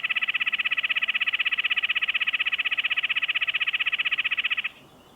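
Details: A male Red-breasted Nuthatch gives a steady, vibrating nasal trill of rapid, even yank notes, made near the nest at the end of excavation or start of egg laying; it runs unbroken about four and a half seconds, then stops abruptly.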